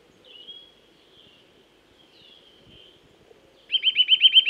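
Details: Eurasian nuthatch in woodland: faint, thin drawn-out whistles, then a loud, quick trill of identical repeated notes near the end.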